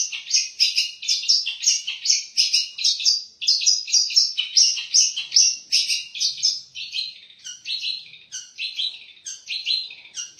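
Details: Long-tailed shrike, a kept competition songbird known for copying other birds' songs, delivering a dense run of high, chattering and whistled phrases that change rapidly and repeat about twice a second.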